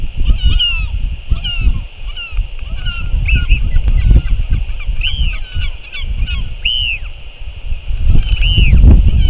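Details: Northern royal albatross, 6 April 2024, while a returning parent feeds its chick: quick chattering high notes, then several louder arched whistles rising and falling every second or two, against gusty low wind noise.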